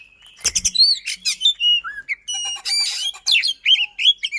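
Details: Fast, dense lure song from a kacer (oriental magpie-robin) meant to set silent birds singing: clear whistled slurs and rolling notes mixed with rapid harsh trills and scratchy buzzes.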